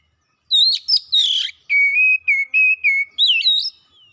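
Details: Oriental magpie-robin singing hard and fast: twisting whistles and a rough buzzy burst, then a series of level whistled notes and a final looping rise, bright and clean against silence.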